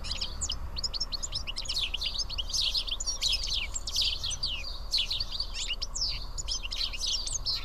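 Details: At Karyotissa in Greece, house sparrows feeding side by side keep up a busy chorus of sharp chirps. The notes overlap and tumble over one another throughout, above a faint low rumble.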